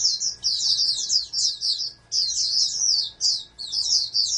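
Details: Bred oriental white-eye, a future national contest prospect, sings bursts of thin, high, rolling twitters about one and a half seconds long, separated by brief silences near two and three and a half seconds; faint hum beneath.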